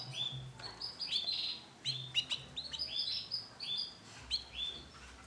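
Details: Male canary with yellow 'bon' colouring singing bright, high chirps and rising, whistled slurs in quick bursts, with soft low background rumble.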